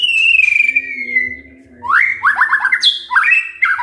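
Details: A white-rumped shama sings to provoke other shamas in the morning. A long, gently falling whistle gives way to a quick run of stuttered down-slurred notes, then sharp rising whistles. A background hum is also heard.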